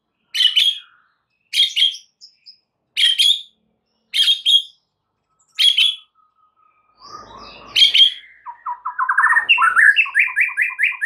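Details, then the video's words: Master song of a white-rumped shama used to rouse other shamas into full song: repeated harsh double chirps roughly every 1.3 seconds, then a faint drawn-out whistle and a fast rising run of clear whistled notes that speeds into a rapid trill. "Dengan CEPAT murai batu AKAN EMOSI dan IKUT GACOR dengan MASTERAN murai batu ini"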